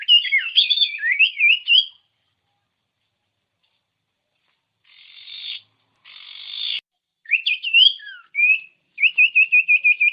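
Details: Common iora song for coaxing silent ioras to sing: a fast warbled, wavering whistle phrase, two short hissing noise bursts, a sharp slurred note, then a steady rapid trill of repeated whistles.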